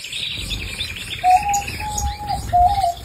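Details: Canary song: a fast high trill fading out, followed by three clear, pure whistled notes held level, each lasting about a third of a second, spaced evenly.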